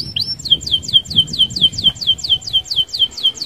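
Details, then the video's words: Canary repeating one swooping whistle in a steady rolling series, roughly four notes per second, each dropping from high to a lower held pitch, sung to stir other canaries into singing. "SUARA KENARI Gacor Roll Sped Mantap - Cocok Buat Pancingan Kenari Anda."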